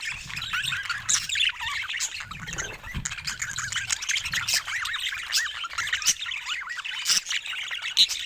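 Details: Group of pet budgies keeping up constant chatter: rapid wavering warbles and looping whistled notes layered over each other, punctuated by short sharp clicks.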